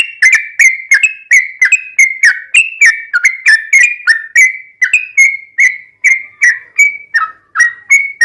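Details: Yellow-vented bulbul in a rapid, continuous ropelan song with ngelituk and straw-headed-bulbul-like fill, used as a tutor and lure for bulbuls kept at home: bright whistled notes near one pitch, each with a sharp attack, about three per second.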